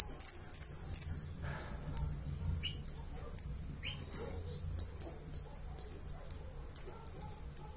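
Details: Uruguayan saffron finch opens with a loud, rich, fast phrase, then continues with short, thin, high chirps given singly or in pairs at irregular intervals.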